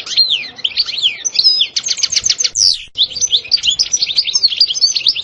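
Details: European goldfinch singing in the prized sitsita and bitbita styles. A fast, bright twittering of high slurred notes broken by a burst of rapid clicking trills, then more liquid, tinkling twitters.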